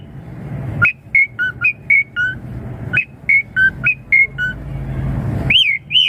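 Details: Asian pied starling song played to draw young birds into answering: a steady series of clear two-tone whistled notes, alternating higher and lower, repeated several times a second, then two louder arching whistles over a low rumbling background.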